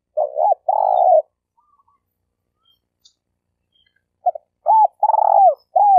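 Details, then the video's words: Spotted dove (tekukur), a denak lure bird from Malaysia used in trapping: low cooing with a short double note, a drawn-out purring coo and a final falling note, phrases separated by a few seconds of silence. "Suara Burung Tekukur Denak Padu Juara All Star"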